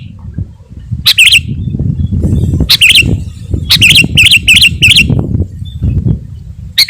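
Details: Sooty-headed bulbul in gacor song, used to lure wild birds and provoke rivals: short bubbly whistled phrases in bursts, several close together near the middle, over steady low rumbling background noise.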